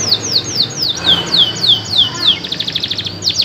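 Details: Local canary in full, loud song: a run of high descending whistled sweeps repeated about three per second, ending in a fast trill, over a constant low background hum.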